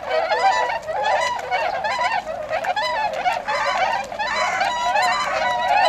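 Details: Many tundra swans at a retention pond in Azumino, Japan, on 22 February 2013, leaving to feed in rice fields: loud, dense, overlapping honks and bugling calls with rich ringing overtones, going on without a break.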